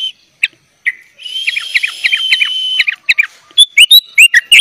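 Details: Sooty-headed bulbul in 'full isian' singing for young birds to learn from: a long, thin high whistle under a series of rapid chips, then loud rising and falling whistled notes in quick succession.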